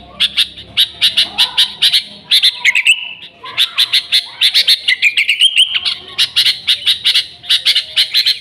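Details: Noisy, lively Sooty-headed bulbul used as a lure for its own species. A dense, almost continuous stream of sharp chirps is interrupted twice by brief gliding whistles.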